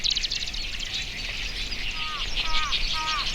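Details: Marsh grassbird singing far away in early May at Watarase retarding basin, Japan, in a binaural recording: three clear, downslurred notes about half a second apart over a dense, high, buzzy reedbed chatter of other birds.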